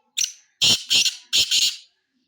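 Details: Black francolin, a young bird described as ready, giving a loud harsh grating call: a single rasping note, then two paired bursts, then another pair, about 1.7 seconds long in a quiet setting.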